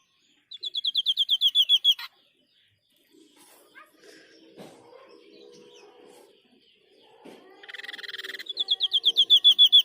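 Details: White-breasted Babbler, locally tepus dada putih, singing eagerly: a burst of loud, high, evenly repeated whistled notes, faint scratchy rustling in between, then a buzzy rattle and another rising run of sharp repeated notes.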